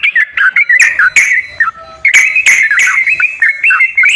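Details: Lure recording of sooty-headed bulbul song for prompting a quiet kept bulbul. Clear liquid whistles in short bursts, some sliding downward, with a brief pause midway before the fluting phrases resume.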